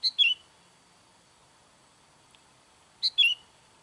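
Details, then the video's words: Sooty-headed bulbul call for luring wild bulbuls: two phrases three seconds apart, each a sharp high note then a short falling slurred note, loud and clean. "SUARA KUTILANG MANGGIL KUTILANG LIAR"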